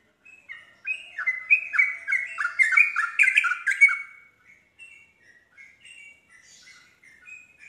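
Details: Yellow-vented bulbul song used to make other bulbuls sing along: an energetic burst of rapid, bubbly descending chirps for about three seconds, then a fainter, scattered chatter of short notes.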